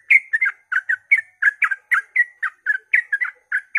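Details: Dawn ropel song of a sooty-headed bulbul meant to draw others into singing: a fast, slightly irregular patter of chirpy, warbling notes, some paired, repeating without break.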